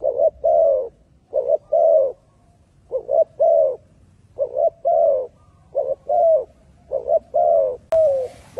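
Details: Spotted doves in Malaysia cooing: low, soft paired coos repeated in groups of two or three, phrases about every one and a half seconds, with a brief noisy click near the end.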